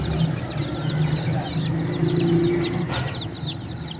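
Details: Chorus of chirping baby chickens, with rapid, overlapping, thin downward-sliding peeps, a continuous low droning hum behind them, and one brief sharp knock near the end.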